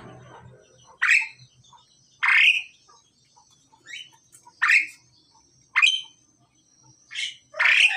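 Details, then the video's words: Harsh, rasping squawks from a male and female pied myna being paired, six loud bursts spaced roughly a second apart, each sweeping upward, with a steady faint high whine in the background. "jalak suren jantan dan betina dalam proses penjodohan"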